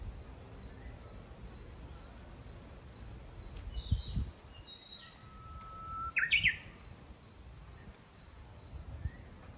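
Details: Japanese bush warbler singing in a fresh green forest in Kitayama, Kyoto, Japan, June 2022: a long steady whistled note, then a quick bright rising flourish. A rhythmic high chirping runs throughout, with a low rumble and a few soft thumps.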